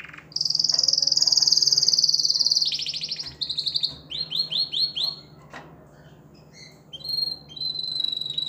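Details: Canary song meant to stimulate females to mate. It opens with a long, loud, fast rolling trill, then gives separate pulsed notes repeated about four times a second, falls quiet, and ends with soft, high chirps.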